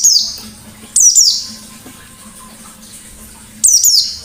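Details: White-eye ngalas song used to draw out other birds: three high, thin downward-sliding twitters, then a long quiet gap, then a final double burst, with a faint hum throughout.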